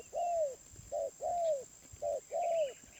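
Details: Wild spotted dove calling with a medium-pitched voice: low, hooting coos in a short-long pattern, each long note arching slightly, repeated about twice a second; faint bird chirps behind.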